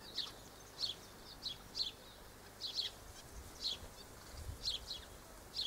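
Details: Double-barred finches, filmed 1 December 2013, repeat short, high, slightly nasal chirps roughly once a second, occasionally doubled, with a low hiss underneath.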